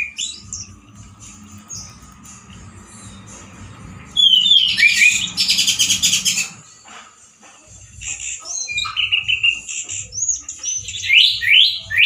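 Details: Male orange-headed thrush singing loud and rough with limited variety: quiet opening notes, then a harsh rattling burst with whistles, a pause, and scattered quick whistled notes rising and falling.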